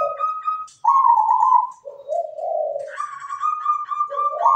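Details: Zebra dove in continuous melodious song. Rolling coos and vibrating trills step between higher and lower pitches with hardly any pause, alongside a steady, clear whistled tone in the background.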